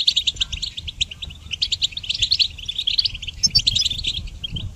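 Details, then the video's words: Goldfinch training song for songbirds: quick, clipped, high tinkling notes strung into a busy twittering phrase, with a few sharper bright notes near the end and light low noise behind. "Harmonious Connection Motivation in Goldfinch Song Training"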